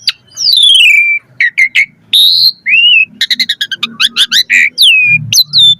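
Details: Asian pied starling song with varied fill, used to prompt other starlings to sing: a long descending whistle, short notes, a level high whistle, then a rapid string of mixed chirps and falling whistles.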